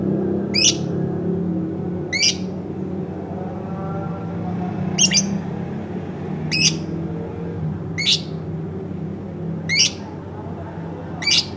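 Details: Domestic lovebird giving harsh, sharp screeches repeated roughly every one and a half seconds, each brief and piercing, over low rumbling household background noise.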